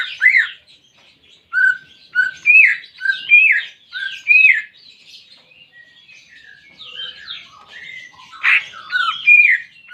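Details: Greater green leafbird singing to prompt a silent caged bird: lively varied phrases of arched, sliding whistles and chatter, with louder bursts at the start and near the end.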